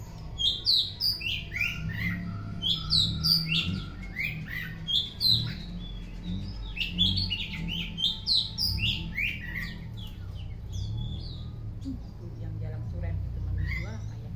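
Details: Afternoon song of an Oriental magpie-robin in full voice, rich sweet whistles and quick chattering phrases tumbling in clustered runs, fading into sparser notes toward the end over a steady low rumble.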